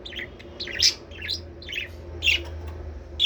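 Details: Budgerigars, whose sound is used to stimulate breeding; short sharp chirps arrive in quick bursts of two or three notes, with small gaps between groups, over a low steady hum.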